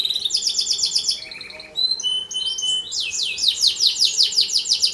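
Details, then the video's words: Energetic canary song meant to train and stimulate other canaries, with rattling high trills, thin whistles and a long run of rapid descending chirps. "Suara kicau Kenari Paling diCari buat Masteran, KANARI GACOR Pancingan kenari lain atau paud"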